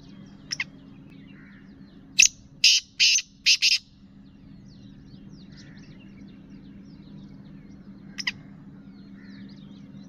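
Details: Female Black francolin calling to excite males: one burst of four harsh, grating, buzzy notes in quick succession, with a few brief scratchy notes before and after. A steady low electrical hum runs underneath.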